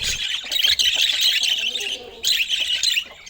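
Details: Budgerigars during fresh fruit food time give loud, harsh high squawking chatter in two bursts separated by a short pause just after two seconds.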